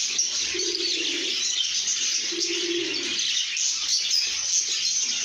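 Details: Content lovebirds singing together: steady shrill chirping and piping whistles fill the air, while two drawn-out low coos rise beneath the chatter.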